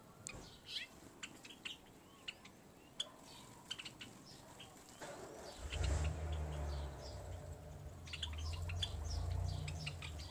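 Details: Several Java sparrows in a backyard call together in short, high chirps and chips in quick, irregular bursts, while a low engine rumble rises from midway.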